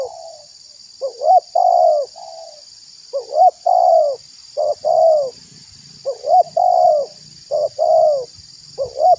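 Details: Spotted dove lure call meant to attract wild doves and stir rivals: about six unevenly spaced phrases of quick rising hoots and long falling coos, with soft low rumbling noise and constant hiss.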